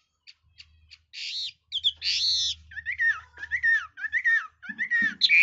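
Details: Red-whiskered bulbul with a varied voice: a few soft ticks, then two harsh, broad rasping bursts, followed by a series of repeated downslurred whistled phrases and a final squeaky note.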